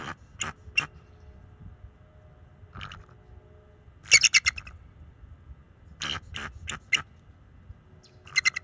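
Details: Young male bald eagle at a nest in March, calling to warn off an owl intruder near the nest; bursts of high, sharp chittering notes in quick runs, separated by pauses, over a faint low hum.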